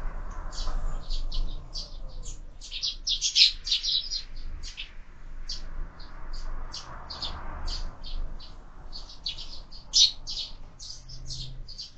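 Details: Sparrows squabbling at a window-mounted feeder where birds are fed year-round: a steady stream of short, high chirps, several per second, from many birds over a low background rumble.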